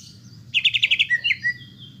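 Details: Greater green leafbird song for young birds: a quick rattle of about eight buzzy notes followed by a few slurred whistles, over faint low background hum.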